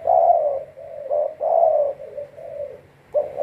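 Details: Spotted dove, a kept decoy bird used for trapping wild doves with leg-snare traps, cooing: low, mellow coo phrases, each a louder rolling coo followed by softer trailing coos, repeating about every one and a half seconds in a quiet setting.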